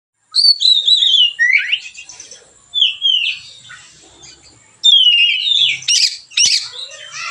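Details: Relaxed, freely sung song of a white-rumped shama, used as a training lure for other birds: clear whistled phrases sliding downward, interspersed with buzzy notes and short chirps, with pauses between bursts.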